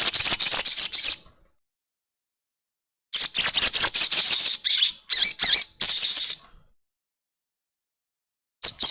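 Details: Lure recording of a crested jay's long chatter, meant to make other birds sing. Repeated bouts of rapid, high, scratchy rattling are separated by pauses of one to two seconds, with some squeakier notes mixed in.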